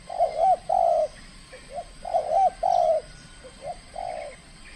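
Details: Captive spotted dove from the Riau Islands, trained and competing in its first cooing contest, calling aggressively: two loud rounded coo phrases, each of two or three notes, followed by softer short coos, with faint high chirps in the background.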